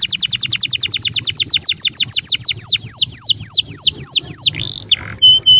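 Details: Canary delivering a soft 'cengkok syahdu' song: a rapid series of bright falling whistled notes that gradually slow and lengthen, ending in a buzzy note and a couple of short level whistles.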